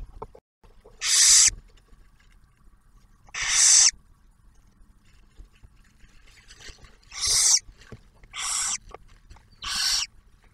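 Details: Barn owls at a nest near Oak Harbor, Ohio, in Ottawa National Wildlife Refuge. The male delivers food while the female shares a meal with the first-hatched owlet. Five long, harsh hissing screeches are separated by pauses of one to three seconds.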